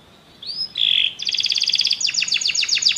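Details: Canary song triggered by music, opening with a soft rising whistle, then a steady tone and crisp rapid rolled trills repeated in quick succession.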